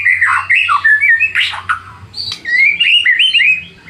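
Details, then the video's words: White-rumped shama song used to provoke rivals into answering: varied slurred whistles, harsh squawky bursts in the middle, then clear rising and falling whistled phrases. A faint low hum sits underneath. "PANCINGAN MURAI BATU PENDONGKRAK EMOSI MUSUH"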